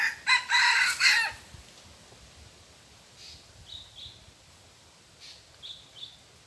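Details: Red junglefowl rooster crowing in the forest during decoy luring of wild junglefowl: one loud, harmonic, multi-pulsed crow over the first second and a half, followed by faint, scattered high chirps of small birds against quiet background hiss.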